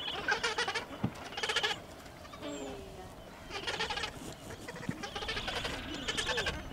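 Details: Gentoo penguin colony at Orne Harbor: several bleating, pulsed brays from different birds, alternating loud bursts with quieter gaps, over a steady background hiss.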